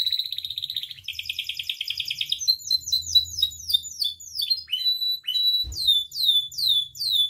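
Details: Caged canary in full song, used as a tutor and lure for captive canaries: a rapid pulsing rattle, then a string of falling whistled slurs and steady high tones, with one brief low thump.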